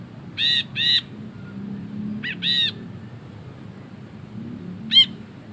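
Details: Ashy bulbul recorded for training other songbirds. Paired harsh notes are followed by another pair and one sharp single note, with a constant low hum behind them.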